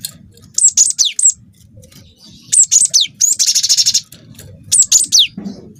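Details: Juvenile wingko-type cinereous tit in full song for luring birds: bright high whistles sliding downward, broken by a rapid buzzy trill of about a second, then more falling notes.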